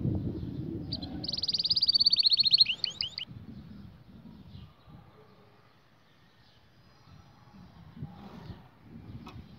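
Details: Canary singing a bright, high, rapid trill of repeated notes lasting about two seconds and fading at the end, followed by quiet low background rumble and faint distant chirps.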